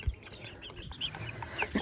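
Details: A hen in a backyard flock that had just finished its food chatters with soft, scattered clucks and a louder squawk at the end, over a quiet farmyard background.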